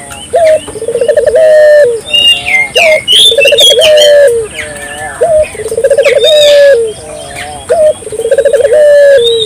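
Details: Lively spotted dove, known locally as burung puter, cooing to stir other doves to call: each phrase opens with a clipped note, runs into a fast quavering series and ends on a long level coo, amid chirping and squeaky calls of other birds.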